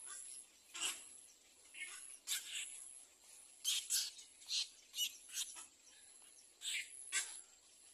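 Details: Little egret at its nest caring for four young: a series of short, rough, scratchy notes, some paired in quick succession, spaced roughly every half second to second, with a constant thin high whine behind.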